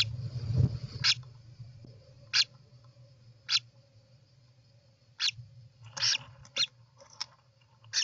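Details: European roller at its nest, 29 June 2024, giving short, harsh, hissing rasps, about eight in eight seconds at an uneven pace, over a steady low hum.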